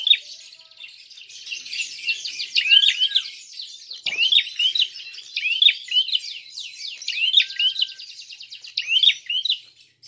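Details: Vigorous Prinia fighting call used to provoke other birds: a dense, continuous run of high, buzzy chirps and rapid trills, with sharp accented notes every second or so and one brief click.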